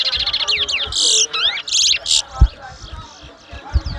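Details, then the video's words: Whistling contest at Mahaica, Guyana in 2022, a towa towa (chestnut-bellied seed finch) pours out fast rising-and-falling whistles mixed with strident buzzy bursts; low voices and knocks sound underneath. "TOWA TOWA BIRD WHISTLING COMPETITION"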